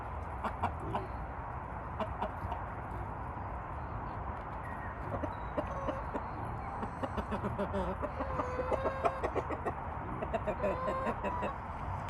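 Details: A rooster that attacked its keeper that day, puffing itself up, gives short, throaty clucks and a few drawn-out, wavering calls against a steady background hum.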